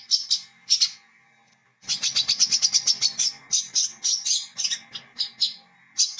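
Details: Olive-backed sunbird, locally called wiceh or kolibri kelapa, singing in the ngriwik, ngecret and learning-ngeplong styles, used as a lure for its kind: bursts of high, sharp chirps, then a long run of rapid, evenly spaced chips.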